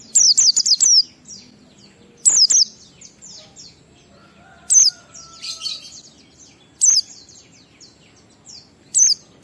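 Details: Oriental white-eye singing in the ngalas style with a 12345 beat, used to prompt caged birds to sing: bursts of sharp, very high, descending chirps about every two seconds, with soft twittering between bursts.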